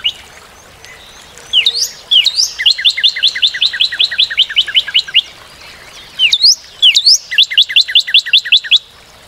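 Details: Northern cardinal song: brief upward-swept introductory notes lead into a long series of quick doubled chirps. After a pause, a shorter repeat of the same pattern follows, against a quiet background.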